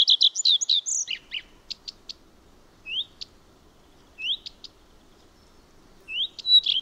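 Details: A common redstart (Phoenicurus phoenicurus) sings in Finland, a species of light forests: a rapid burst of high, jumbled twittering, then brief upslurred whistles and short, sharp high notes, repeated every second or so.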